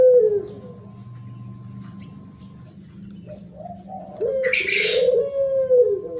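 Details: Spotted dove singing in the thổ pháp style, used to provoke males and females: a low coo at the start, then after a quiet stretch a longer series of low, wavering coos, with a short hissing noise burst over them.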